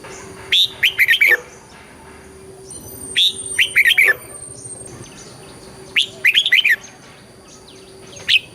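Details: Red-whiskered bulbul song, southern Thai master style, played to train birds: three lively phrases of rising whistle plus rapid warbled notes about three seconds apart, a lone whistle at the end, background hum.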